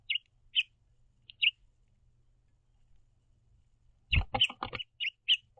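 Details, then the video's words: Two house finches hopping about a backyard feeder perch give a few spaced high chirps, then a clatter of movement mixed with a quick flurry of chirps toward the end. "House Finches Happily Chirping To See The Green Bird Feeder"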